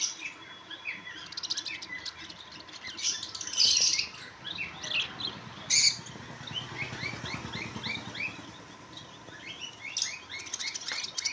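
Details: Several budgerigars chatter together: busy overlapping high chirps and short warbled notes, with a few louder squeaky bursts standing out.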